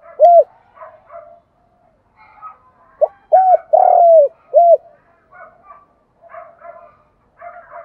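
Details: Morning lure call of a spotted dove: an early short coo, quiet murmuring, then a full phrase of clipped coos around one long, loud, descending coo, followed by softer low chatter.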